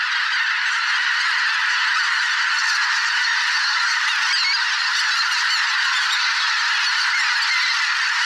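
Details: Huge migrating flock of greater white-fronted, bean, barnacle and pink-footed geese in a swamp during spring, thousands calling at once: steady, loud, crowded honking and yelping forming a seamless din from start to end.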